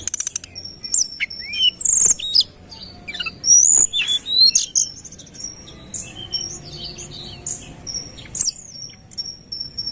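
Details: Lure recording of a Sunda robin in full song, with piercing high whistled notes, quick slurred phrases and sharp clicks tumbling together in fast succession.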